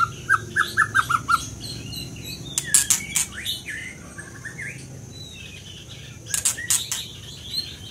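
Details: Scarlet minivet giving a brisk string of about six short, falling whistled notes at the start, followed by scattered sharp clicks and faint chirps.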